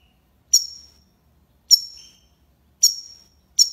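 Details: European goldfinch repeating a single sharp, high tinkling note about once a second, four times, against silence.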